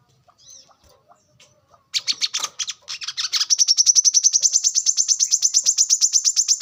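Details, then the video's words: Wild brown-throated sunbird used for lure and training: a burst of mixed chirps, then a long fast run of high, buzzy, even notes repeated about twice per second and accelerating into a steady trill. "kolibri kelapa | manggar | wiceh | pancingan korlap dengan suara asli alam liar gacor"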